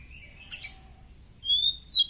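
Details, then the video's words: Oriental magpie-robin in top condition, recorded as a tutor song for training other birds: a thin chirp, then clear high whistles drawn out and gently falling, with a brief pause between notes, against a quiet background. "Kacer superfit buat masteran mantap"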